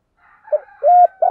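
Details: Spotted dove cooing in the morning, used as a lure: soft mellow coo notes, a short one then a longer sustained one, then a third beginning, with a faint steady tonal background.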